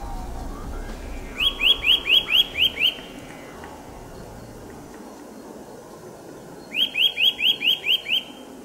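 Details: Forest Eurasian nuthatch singing in March, two clean bursts of about seven rapid rising whistled notes each, separated by several seconds of quiet.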